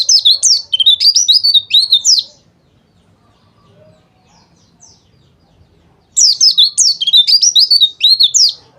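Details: Dakbal-style white-eye song played as therapy to provoke rival birds into singing: two dense runs of sharp, high chirping notes, each about two seconds long, separated by a long quiet gap.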